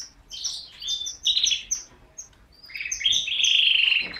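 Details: Canary singing: bursts of high chirps and trills in short phrases, ending with a sustained rolling buzzy trill for about a second, quiet background.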